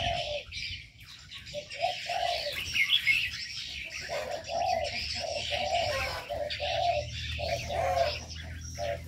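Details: Mixed aviary birds kept in an enclosure: repeated low, hollow coos in short rounded phrases under a busy layer of high, thin chirps and twitters, with occasional soft wing flutters.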